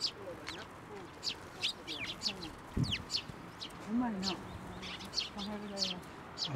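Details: Sparrows flying to a hand to be fed at a Tenmangu shrine, June 2024; a steady patter of high chirps throughout, with lower voices and other low sounds in the background.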